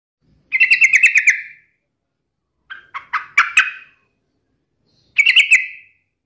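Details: Yellow-vented bulbul in full voice, taunting a rival and used to provoke other bulbuls into answering. Three short, bubbly, buzzy bursts of quick chattering notes, each under a second and spaced with clear silent gaps. No other sounds.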